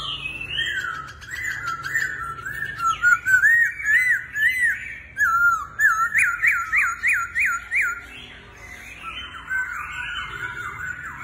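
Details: Laughingthrush that dances as if in a circus sings fluty whistles, then a fast series of about six sharply rising repeated notes, ending with a warbled phrase.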